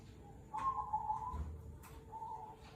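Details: Zebra dove, cemani kolbuntet variety: quieter, more distant-sounding trilled coos, one longer phrase and a shorter one after a gap, with faint clicks and low background rumble.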